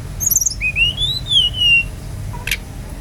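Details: Brown-chested jungle flycatcher in lively song, used as a lure to prompt other birds into full song: a few sharp high chips, then a long slurred whistle climbing and gently falling, with faint high streaks above and a short click near the end.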